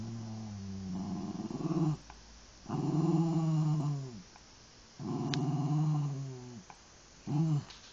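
A murre gives four deep, growling, drawn-out calls, each about a second long with a slight downward bend, repeated every two seconds or so.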